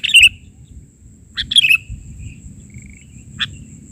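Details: Energetic sooty-headed bulbul song in the 'bahari' style: quick liquid phrases of clipped notes with descending slurs, plus a thin high trill and a short final note, against a faint low hum.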